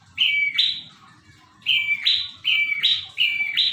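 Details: Strong, persistent prinia song: two bursts of bright stepped double notes, a flat lower tone then a buzzy higher one, ringing out in quick succession over faint low noise.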